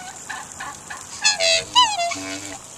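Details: A pair of Australian black swans kept by their owner, approaching across the water and calling: a couple of faint notes, then loud bugling toots, one sliding downward, and a lower held note at the end.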